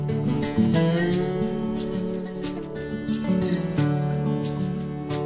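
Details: Strummed and plucked acoustic guitar plays a gentle tune, with no animal sound.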